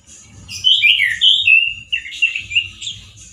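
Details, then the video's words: Orange-headed thrush male, song loud and harsh. Swooping whistled phrases come in two bursts separated by a short lull, with quieter high notes between and a low background murmur. "ANIS MERAH GACOR SUARA KERAS DAN KASAR SEPERTI DI ALAM LIAR-ANIS MERAH JANTAN GACOR TELER"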